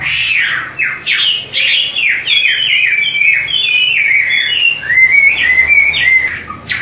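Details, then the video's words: Chinese hwamei (Garrulax canorus) singing in a duet: loud, rich phrases of slurred whistles that swoop down and up, tumbling one after another with barely a pause, over a low hum. "DUET MAUT BURUNG HWA MEI GACOR"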